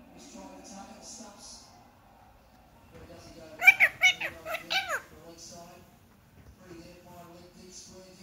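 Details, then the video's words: Young pet Indian ringneck parakeet, six months old, uttering a fast string of about six clipped, harmonic, chattering syllables in the middle, with softer murmuring and faint voices before and after. "talking Parrot video"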